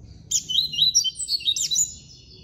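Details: Double-collared seedeater (coleiro) from an amateur breeder, classic-song style: a short, rapid warbled phrase of high, twisting chirps and slurred notes lasting just over a second, close and clear over faint low background hum.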